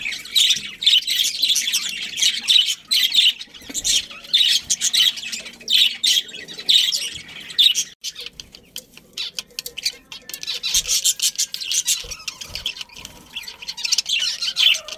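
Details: Budgerigar colony of breeding birds: a long, steady stream of shrill, scratchy chatter and tweets from many birds, louder in the first half, then thinning into scattered chirps.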